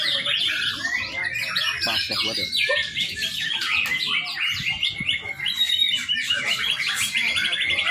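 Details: Young white-rumped shama singing as a lure for training other birds: dense, nonstop run of chattering, twittering and buzzy notes, some fast trills, with a faint voice in the background.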